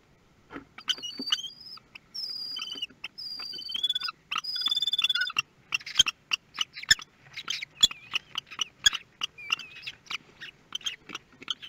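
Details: Newly hatched common kestrel chicks in a nest at Théding, France, 24 May 2022; thin, drawn-out whistled squeals, then quick bursts of short, high chirps mixed with clicks and tapping.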